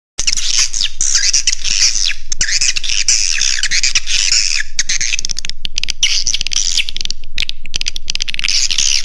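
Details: Swiftlet roosting lure call in the Raja Di Laut style, meant to draw birds in to roost: dense, continuous high chirping and twittering, many rapid overlapping notes with short gaps, steady and loud throughout.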